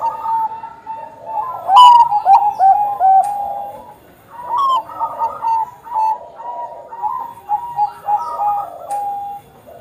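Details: Bangkok-type zebra dove singing (perkutut bangkok), recorded as a lure to prompt other zebra doves to sing: rich, mellow cooing phrases with rolling, stepped notes in bursts, a few short high chirps in between.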